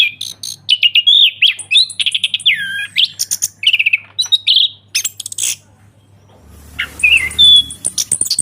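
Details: Orange-headed thrush ngeplong song meant to trigger a silent bird to answer: varied whistled and warbled phrases with quick chirps, a short pause, then a long thin whistle and high notes, low hum throughout.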